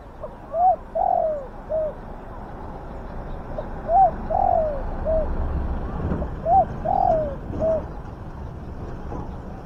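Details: Spotted dove calling as a lure for wild doves. Three well-spaced phrases, each a short note, a longer sloping note and a short low note, come roughly every three seconds against soft background hiss.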